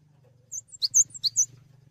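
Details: Brief phrase from a cinereous tit singing for songbird tutoring: five or six high, sharp notes switching between two pitches, over a faint low hum.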